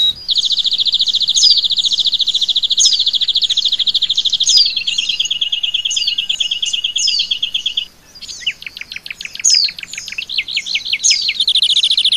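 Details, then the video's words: Oriental white-eye training song: an extended high, machine-like trill that drops slightly in pitch, a brief gap, then quick downslurred whistles and a renewed high trill. "Masteran Keras!!! Pleci bikin Isian Jalak Suren,kenari,kapastembak,rambatan doraemon"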